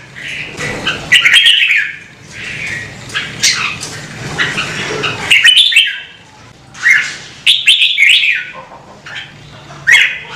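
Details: Red-whiskered bulbul, a kept songbird in a Vietnamese bird-keeping recording meant to spur birds to sing, giving loud bursts of bright, warbling mid-high notes in separated phrases, with short silences between and a faint low hum beneath.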